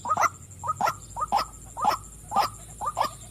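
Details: White-breasted waterhen, a female, gives a series of hoarse 'wak' calls spaced roughly half a second apart, some notes doubled, with a constant thin high hum behind them.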